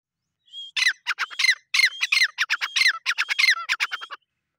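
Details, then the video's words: Grey francolin, called jungli teetar, giving a loud, harsh series of rapid squawking notes with sharp downward-sweeping strokes, repeated in quick bursts over about four seconds, with a thin whistle at the start. "Jungli teetar ki awaz -Teetar ki voice"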